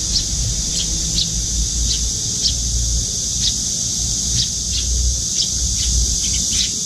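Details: A young Eurasian tree sparrow trails its parent to a window feeder and begs with quivering wings. Sharp, high chirps come at an uneven pace, some in quick pairs, over a steady high hiss and low rumble.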